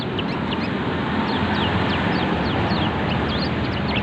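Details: Pleci kecial mountain white-eye in captivity giving scattered high, sharp, slurred chirps, some rising and some falling, spaced irregularly over a constant low hum and background noise.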